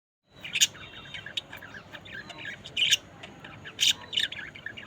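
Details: Budgerigars in a group, giving sharp high chirps and squawks in bursts, with loud peaks near the start, middle and end over a soft chattering background.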